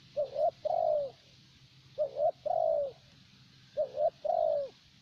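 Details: Decoy spotted dove used for luring wild birds, prized for even, long-lasting calling; three paired coos, each a brief double note then a longer falling note, spaced about two seconds apart.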